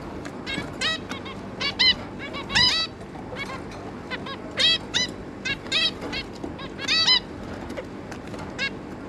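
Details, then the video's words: Zebra finch pair and their three juvenile offspring, recorded 11 May 2022, call busily with crowded nasal beeps, often two or three in a row, above a quiet hum. "Zebra Finch"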